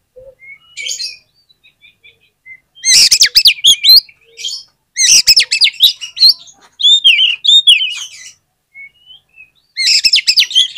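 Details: Lure recording of an oriental magpie-robin, meant to set other magpie-robins singing: repeated bursts of fast, scratchy, twisting whistles and harsh notes, several phrases over about ten seconds with brief soft notes in the gaps.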